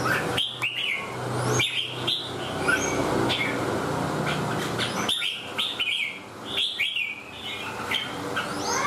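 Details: Red-whiskered bulbul singing in the fanning display style called "xòe ôm cóng": short, bright warbled phrases with upslurred whistles, given in bursts a second or two apart, over loud constant hiss and rumble.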